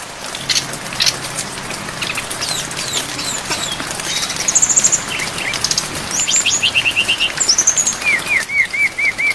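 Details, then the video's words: Brown-chested jungle flycatcher in a filler-rich training recording with rain: faint high notes, buzzy high trills, a descending twitter and a run of five repeated wavering whistles over rain hiss. "MASTERAN SRDC FULL ISIAN DAN AIR HUJAN DURASI PANJANG"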